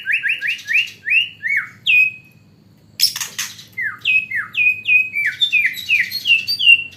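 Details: Shama song filled with hanging-parrot (srindit) material, sung in fighting style: series of short, bright notes that slide downward, repeated about three per second, broken by a brief pause and a harsh burst.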